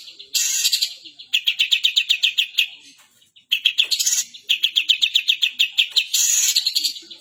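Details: A mimicking long-tailed shrike gives its 'kapas tembak' imitation: fast chirp trills of about five notes per second, set between loud, harsh hissing bursts, with a brief pause midway.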